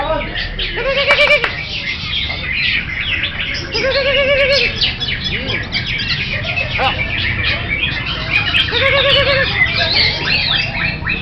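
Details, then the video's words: Greater green leafbird (cucak hijau) delivering long bursts of rapid, jumbled high chatter and trills, with repeated lower warbled phrases; music and applause heard around it. "AKSI CUCAK HIJAU"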